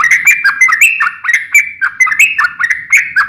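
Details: Trucukan, the sooty-headed bulbul, in lively full song. A continuous run of quick, bubbly, chirping notes rolls on without a break, with repeated slurred up-and-down figures about three or four per second.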